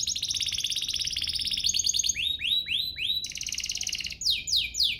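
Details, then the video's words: Lure song of a canary, aimed at making other canaries sing: a continuous rapid trill, then a series of upward-swept whistles, another dense roll, and more rising swept notes repeating about three per second. "Pancingan ini EFEKTIF BANGET, burung kenari lain langsung terpancing untuk GACOR"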